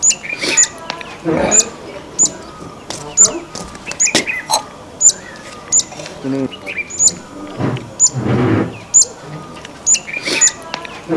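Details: Streaked laughingthrush, a common Himalayan bird: sharp, very high chirps repeated about once a second, mixed with lower, broad rasping bursts and other brief notes.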